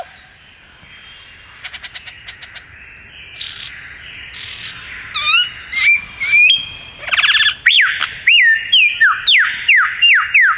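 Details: Male superb lyrebird flitting between trees and singing in the Dandenong Ranges, east of Melbourne, Australia; soft clicks give way to loud ringing whistles, sharp downslurred notes and a series of bright repeated swoops.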